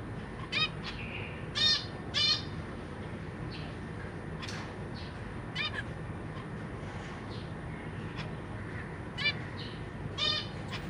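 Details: Young zebra finches, newly fledged from the nest alongside juvenile siblings and feeding parents. Short nasal, stacked chirps come singly or in pairs every second or two against a quiet background.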